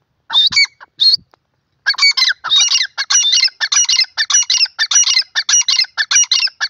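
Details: Grey francolin (teetar), male and female, calling loudly: a few scattered harsh notes, then a rapid, accelerating run of squeaky, grating, high-pitched phrases that repeats steadily, with nothing else audible.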